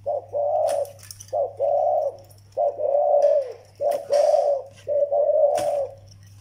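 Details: Zebra dove, young bird paired with an old Vietnamese decoy, repeating two-part coos, a short clipped note followed by a drawn-out mellow one, roughly every second, over a constant low hum and faint clicks.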